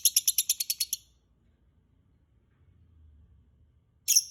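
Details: Lovebird sounds played as a lure to get other birds singing: a fast run of about ten sharp, high chirps in the first second, then quiet, ending with a harsh, high squawk.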